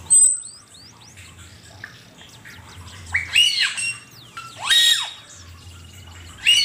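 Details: Asian pied starling singing, used as a master recording for training songbirds: loud harsh squawks and rasping bursts mixed with clear whistled notes, with faint background chirps between phrases.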